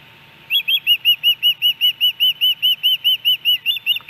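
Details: Hellgate Canyon osprey, Missoula, Montana, July 13, 2018, on a day with three fish brought to the nest; an even chain of about eighteen clear, arched whistles at a steady rhythm, roughly four each second.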